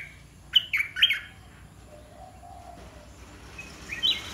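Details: Red-whiskered bulbul from a cage, Dok Taeng mixed with Ta Daeng style: one quick three-note warbled phrase early on, then near-silence and a faint final chirp.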